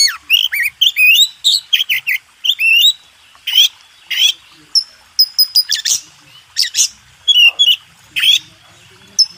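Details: White-rumped shama master song used for contest birds: varied whistles and chips with some harsher buzzy bursts, delivered in irregular phrases.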